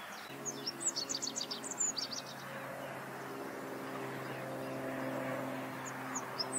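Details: A rock bunting sings in the Moselle valley of Germany, giving a quick burst of high, thin, jerky notes early on, then a few scattered high chips over a low steady engine-like hum.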